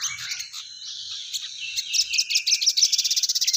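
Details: Crested jay (sogon) calling actively: a jumble of high chirps and squeaks builds into a fast, regular buzzing rattle of about a dozen pulses at the end.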